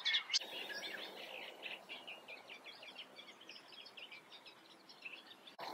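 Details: Reed warbler song heard at a distance: a fainter, rhythmic chatter of scratchy repeated notes over a soft, rushing background, with knocks at the start and end.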